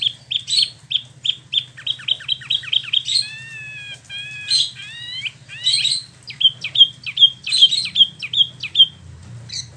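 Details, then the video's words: Caged Spot-throated Babbler in Bandung, West Java, newly moulted, giving a fast run of repeated chips, then drawn-out wavering slurred whistles, and more sharp rhythmic chips, over a faint low hum. "Wambi Mini / Tieu Mi (Pellorneum albiventre) ngeroll"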